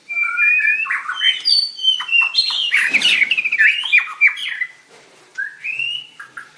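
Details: White-rumped shama singing and dancing at a 7/25/16 singing contest: loud rapid stuttering notes and clear whistles in a busy burst, then a short pause before a softer rising whistle.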